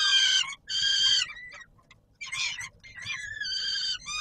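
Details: Peregrine falcon at the Palace of Culture and Science, Warsaw, Poland, at feeding time on 17 July 2022. Two strident wails, then quieter broken notes, then further screeching calls.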